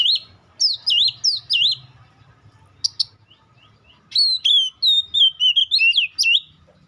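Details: White-rumped shama singing a loud, varied song of rich whistled phrases, some swooping down then up, mixed with sharp high chips, delivered in bursts with brief pauses; faint low hum beneath.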